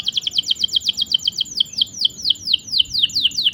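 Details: Long rolling canary chirps used as a training or prompting song for silent and young canaries: steady rapid series of bright, sharp descending notes repeated about four times per second.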